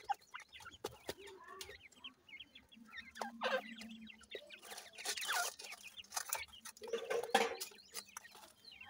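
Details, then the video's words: Feeding grey francolin chicks with their parent pair: high slurred peeps and chirps over a soft, drawn-out low cluck, broken by scattered sharp pecking taps and a louder rough burst near the middle. "dakhni teetar chicks ki awaz"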